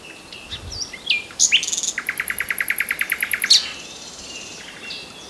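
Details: Common nightingale in song, opening with scattered whistles before a loud, evenly repeated series of about fifteen rich notes lasting nearly two seconds, ending in a sharp flourish.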